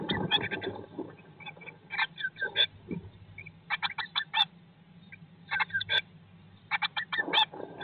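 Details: Inside a Eurasian blue tit nest box in 2022, 19 days after hatching: short stuttering chirp bursts every half second to second, some gaps of quiet, and a few rustling scrapes.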